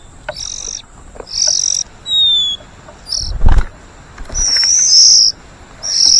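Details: White-rumped shama parent feeding its young; high, hissing begging calls in half-second bursts with gaps, a couple of thin descending whistles, and a loud knock in the middle.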